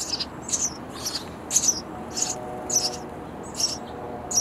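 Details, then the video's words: Baby sparrows begging for food in a bird house nest, parents feeding them insects; a series of about eight high, raspy chirps at a steady pace over a noisy background. "Feeding Hungry Baby Sparrow Birds In A Bird House Nest"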